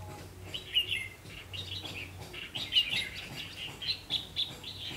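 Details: Red-whiskered bulbul at a double-spring trap, late afternoon of 3 September 2016: short, bright warbling phrases repeat roughly every second, with sharp upslurred notes over a low constant hum.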